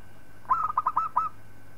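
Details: Local zebra dove song meant for training other birds: a short, rapid phrase of about six soft, trilling coos run closely together, with quiet before and after.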